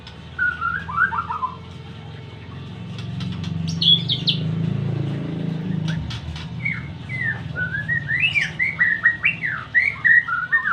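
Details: White-rumped shama giving whistled slurred phrases, then a pause with some clicks and a low rumble, then a fast, rising, chattering whistled burst.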